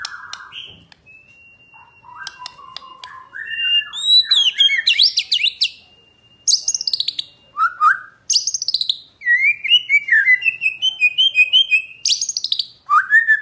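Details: White-rumped shama singing in the morning, a lure song said to rouse rival shamas: a long flat whistle, then varied rich whistles, steep upward and downward sweeps, and quick repeated chattering bursts.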